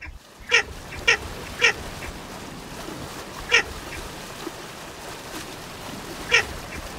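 A Baer's pochard gives short, harsh, nasal croaks: three quick ones half a second apart, then two more spaced out, over a low background hum.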